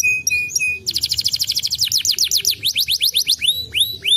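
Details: Canary song meant to lure other canaries: a few short steady whistles, then a fast rattling trill of about twenty notes, slowing into repeated upslurred whistles.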